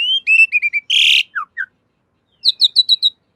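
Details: Javan pied starling song used to train cage birds: whistled notes in a quick run, a harsh noisy burst, two short slurs, silence, then five bright high chirps in even rhythm.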